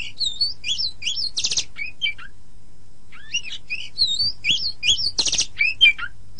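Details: Master song of the kacer, or oriental magpie-robin, used to teach birds: two bursts of curling whistled notes, each with a harsh buzzy rattle, separated by a short pause, with a low hum in the background.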